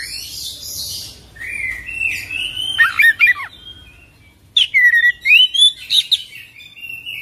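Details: Oriental magpie-robin (kacer) in lively song: sustained whistles give way to quick clusters of sharp, looping whistled notes, with a bright twittering run in the second half.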